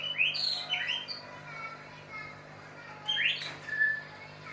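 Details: White-rumped shama in mating context: bright rising whistles near the start, a few thin notes, then another loud upward slur followed by a clear whistled tone; constant low hum behind.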